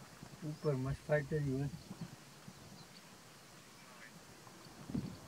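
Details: Greylag geese filmed up close at Little Rann of Kutch, Gujarat, India, in January 2020, uttering a quick run of three harsh, nasal honks within one second, then quiet low background with a faint later call.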